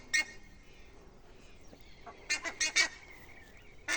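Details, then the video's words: Four buff-necked ibises calling from a tree: loud, harsh, nasal honks, a single blast, then a quick ragged burst of four, and another at the end, over a faint thin whistle. "Canto dos curicacas"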